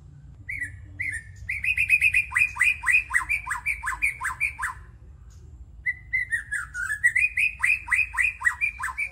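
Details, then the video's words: Young wild-caught white-rumped shama repeating its legreg: an opening whistle, then a long run of clipped, falling notes. After a short gap a rising whistle leads into another rapid burst of the same strokes, with faint hum behind. "Legregkan Murai Batu Muda Hutan"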